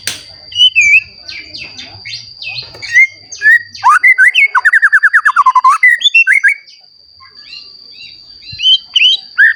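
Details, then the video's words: White-rumped shama in full song, meant to rouse other shamas to sing: varied whistles and chips, a rapid burst of repeated notes mid-phrase, then a pause and more scattered whistled phrases over a constant high tone. "Murai Batu Gacor Ampuh Untuk Pancingan Murai Batu Agar Bunyi Langsung Emosi"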